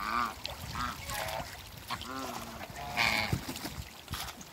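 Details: African geese, two ganders and a goose, splashing about in backyard water, trade a string of brief honks and rougher cackling notes, some overlapping, with low splashing underneath.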